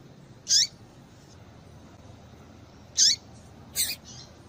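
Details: Female yellow-bellied seedeater call used to stimulate males and get them singing: three brief, high, sharp chirps, a lone note followed later by a close pair, over a steady low hiss.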